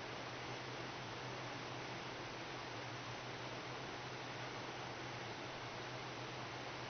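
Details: Even, hiss-like broadband noise with a faint low hum fills the whole recording.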